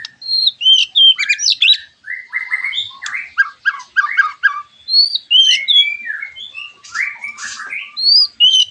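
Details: White-rumped shama singing as a lure to prompt other shamas to answer: fast, energetic stream of bright whistles, trills and harsh chattering notes, high-pitched and varied, barely pausing.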